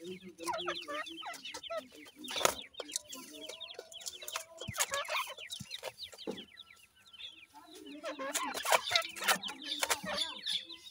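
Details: Grey francolin mother with chicks while feeding them, giving low repeated clucks amid many thin, falling chick peeps, with occasional sharp clicks and knocks throughout.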